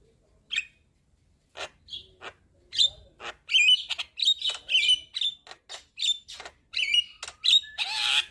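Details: Javan myna lure and tutor song to get birds singing busily: sparse clicks at first, then a quickening series of whistled chirps and sharp clicks, ending in a harsh grating burst.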